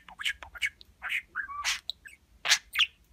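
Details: Talking pet budgerigar imitating human words and kisses: short scratchy chirped syllables, one gliding whistled note near the middle, and two loud hoarse bursts near the end.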